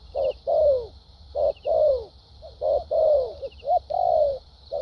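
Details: Spotted dove used as a decoy in Vietnam, singing in the lèo dặm manner: short coos each answered by a longer falling coo, about fifty a minute, with a faint high hiss behind.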